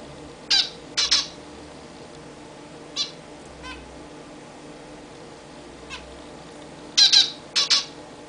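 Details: Pet zebra finches in a new, bigger cage, taking their first bath there. Short nasal calls with stacked harmonics come in pairs and clusters, several close together near the start and end with quiet gaps between, over a steady low indoor hum.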